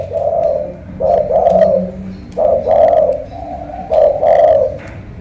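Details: Cooing from a spotted dove in Ca Mau with a booming, pigeon-like voice: three deep, mellow phrases about a second apart, each a short note then a longer swelling coo. Faint clicks sound between them.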